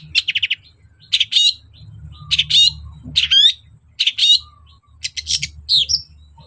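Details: Long-tailed shrike singing loudly and continuously, played to coax reluctant shrikes into song. Clusters of rapid harsh notes and a few clear rising whistles come roughly once a second over a low background hum.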